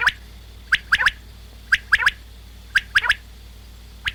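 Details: Common quail (Coturnix coturnix), song.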